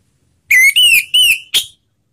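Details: Slow ngeplong singing by an orange-headed thrush, played to encourage other birds to sing: three loud sliding whistled phrases in a row, ending with a short sharp higher note, in clean silence.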